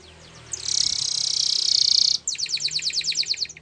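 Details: Canary singing: a dense high buzzy trill held for over a second, then a quick series of sharp repeated chirping notes about every tenth of a second, with faint low hum underneath.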